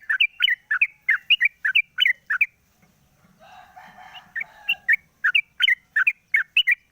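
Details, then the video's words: Caged sooty-headed bulbul singing in the morning after its cage cover is opened, used as a lure to prompt other birds to sing: rapid bubbly chattering notes about three per second, a brief break with a distant rooster-like call, then the chatter resumes. "pancingan burung trucuk di pagi hari buka krodong bunyi"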